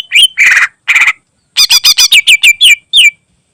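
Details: Greater green leafbird delivering its special fill song, a tutoring recording for other birds: harsh grating rasps followed by a quick string of loud bright whistled chips, slurring downward at the end.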